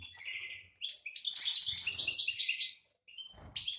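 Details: European goldfinch singing in breeding condition, 2018 season: a brief thin note, then a fast, jangling, liquid twitter of high notes for about two seconds, a pause, and a new phrase starting.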